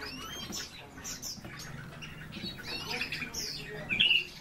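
European bee-eaters trade soft, rolling, liquid calls, several birds overlapping in a busy chorus, with one louder burst near the end.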